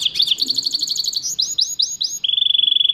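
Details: Song of a goldfinch mule: a quick high trill, then five swooping rising-falling notes, ending in an even buzzy rattle held for almost a second.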